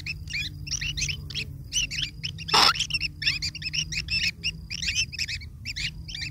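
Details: Begging of long-tailed shrike nestlings as a parent feeds them, a busy stream of sharp squeaky chirps with one brief loud rustling burst midway.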